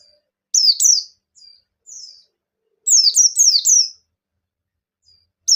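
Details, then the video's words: White-eye of the bustomi type, ngalas-style song to stimulate others to sing. Short high whistled notes give way to a quick phrase of four sharp descending chirps, with quiet between them. "Suara Burung Pleci Gacor Ngalas Nembak #36: Pleci Bustomi Akan Gacor Dengar Suara Ini"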